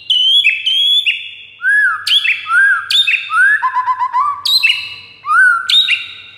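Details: White-rumped shama song played to lure a rival shama: bright whistled notes held then dropping, rising-falling arched whistles, a short rattling stutter and sharp high accents, phrases following closely for over six seconds.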